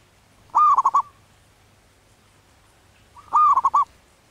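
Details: Manggung song of a wild local zebra dove in breeding condition: a strong rising coo trailing into three fast, throaty rolled notes, repeated once after under three seconds of quiet.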